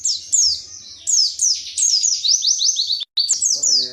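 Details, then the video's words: Indonesian white-eye (pleci) song in the 'tembakan materi' style: a fast run of high, thin, descending slurred whistles, each note sliding down sharply, strung together almost without pause, with a brief cut near the end and faint low voices. "Pleci WIKSAR Tembakan MATERI"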